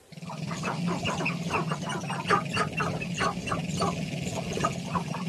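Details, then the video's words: Male sharp-tailed grouse dancing to attract a mate in Northern Colorado: rapid, repeated dry clucking and clicking notes over a steady low drone, continuing throughout without pause. "Male Sharp-Tailed Grouse's dance to attract a mate!"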